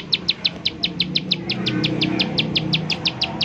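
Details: Bar-winged prinia firing off short, bright, down-slurred notes at a brisk, even pace. This 'nembak' call is used as a lure to make other prinias call, over a low background hum.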